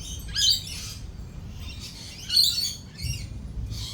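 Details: Lorikeets calling amid thunder and lightning, with three or four loud rasping screech bursts about a second apart, over a faint low rumble.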